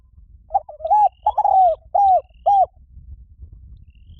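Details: Spotted dove coo sequence meant to draw in wild doves: hollow low notes, a stammered start, a drawn-out falling coo and two brief arched notes, then low rumbling background for over a second.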